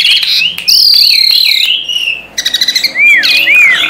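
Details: Tame Asian pied starling sings loudly: wavering whistled slurs, a long high shrill note, a quick staccato rattle, then two clear arching whistles over a harsh buzzy background.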